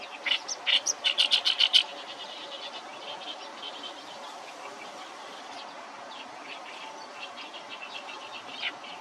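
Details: Oriental reed warbler song, recorded as short pieced-together fragments: a loud rapid series of harsh, grating notes for about two seconds, then fainter scratchy chatter continuing against a steady background hiss.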